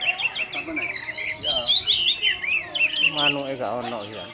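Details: 'Tarantula' orange-headed thrush song, a lure to make other thrushes sing. Continuous twisting warble of slurred, up-and-down whistles and chirps, ending in quick stuttering repeated notes.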